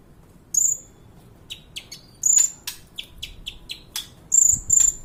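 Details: Kolibri ninja (sunbird) song used as a training recording for other songbirds: high thin whistled notes and sharp ticking chips in quick bursts, with short pauses between phrases.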